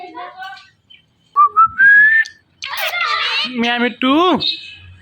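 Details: A talking pet parrot whistles a few clear rising notes, then breaks into harmonic speech-like chatter and a final swooping squawk, recorded indoors.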